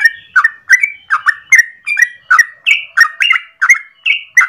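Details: Lively, long rapid song of a yellow-vented bulbul at morning, meant as a lure or tutor for training birds. Chattering, warbled notes pour out continuously, some rising to a higher, sharper pitch, repeated two to three per second without pause.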